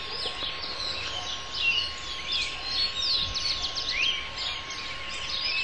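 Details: Austral thrush (Turdus falcklandii) delivering a busy jumble of high, rapid whistles and sharp down-slurred notes, with steady hiss and a faint constant hum behind it.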